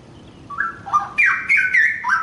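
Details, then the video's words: Straw-headed bulbul, a young bird taken from the forest, delivers a short run of mellow liquid whistles rising into a louder gurgling flourish that drops in steps, strong and clear with little background noise. "Syahdu Cucak Rowo Muda Hutan"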